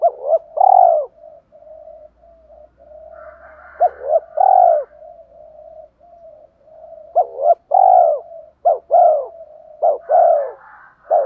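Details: A decoy spotted dove calls to lure wild doves to respond and come close. Repeated low three-part coo phrases with soft humming between them, and a faint low rumble partway through.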